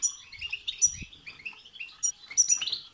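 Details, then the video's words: Short run of European goldfinch song in the batbata and satsata style, used to excite goldfinches into singing: quick twittering chirps with a few piercing high notes and one low knock. "بتبتة وستستة تخرج الحسون عن السيطره..... هيجان خرااافي تسببه هذه البتبتة نار على نار سيغرد حسونك"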